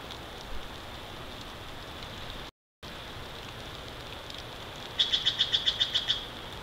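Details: Big Bear Valley bald eagle nest, live camera wide view, morning of 29 March 2023: a steady background hiss, then near the end a rapid run of about nine sharp, high piping notes in a tight, regular series.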